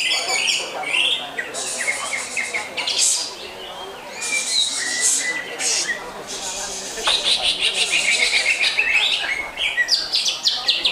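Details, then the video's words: Greater green leafbird giving a busy, high-pitched song of scratchy trills and quick chirp runs, broken by short pauses, with faint talking behind it. "Lagu Mewah Cucak Hijau"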